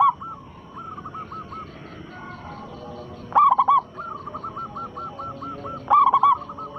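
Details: Zebra dove of local stock, sung as a lure to set rival doves calling: two loud rolling coo phrases a few seconds apart, with a fainter dove repeating a string of soft, even coos in between.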